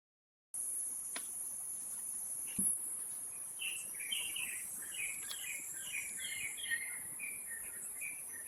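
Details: Wild Taiwan Blue Magpies rearing nestlings at Taipei Zoo, Taipei, on 7 May 2022 at 11:43; after a quiet start, a quick run of short chirping notes comes around two per second, over a steady high insect drone.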